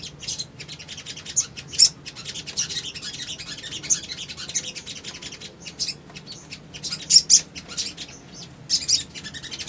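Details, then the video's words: Little spiderhunter song used as a lure recording to provoke responses, given as rapid bursts of high, thin chittering and sharp tweets in irregular clusters, with quiet gaps between bursts. "PANCINGAN CEPAT MACET BUNYI SOGON BAHAN IJOAN"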